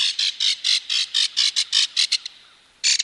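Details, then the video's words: Belted kingfisher of Wisconsin waters calling with a loud harsh rattle: about ten coarse, buzzy notes in two seconds, briefly fading, then a fresh quick burst at the end. "Belted Kingfisher"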